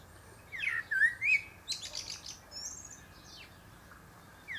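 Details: Perched atop a pear tree, a male Common Blackbird sings a clear looping fluty phrase followed by sharp high squeaky twitters, then a quieter stretch before the next phrase begins at the very end.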